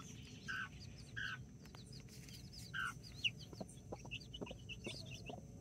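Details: Backyard chickens, two mother hens with nine chicks, four mini chickens and five Brahma, recorded October 24th 2024: three low, short hen clucks early and midway, with a constant scatter of high, thin chick peeps and a low background rumble.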